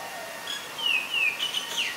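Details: Common myna (Acridotheres tristis) filmed with a Nikon P1000 in Ubon Ratchathani, Thailand, on February 24, 2022; clear whistled notes slide downward, then a quick run of higher twisting whistles near the end, over a steady faint hiss.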